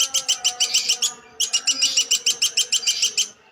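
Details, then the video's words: A platuk sampit woodpecker repeats sharp, metallic notes in a quick run, pauses for a moment, then resumes the same fast, even series until the end. "Burung Platuk Sampit"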